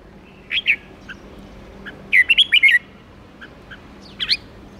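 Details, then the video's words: A red-whiskered bulbul kept as a cage bird gives quick 'ché' song meant to rouse other bulbuls: a short two-note chirp, then a rapid rolling run of five liquid notes, and a final brief twittered burst. "Chào mào ché kích bổi nhanh ché/Chào mào kíc bổi ức chế ché ngay/kích chim căng lửa"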